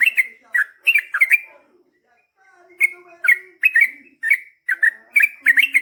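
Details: Long rapid song of a yellow-vented bulbul, intended to make other bulbuls answer at once: quick warbled bursts, a short silent break with faint sliding notes, then more chattering phrases in brisk succession.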